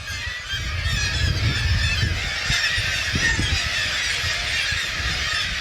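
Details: A dense, unbroken chorus of nasal, honking Black-legged Kittiwake calls from a crowded breeding colony of tens of thousands on Arctic island sea cliffs in spring and summer, many birds overlapping fast, over a low wind or surf rumble.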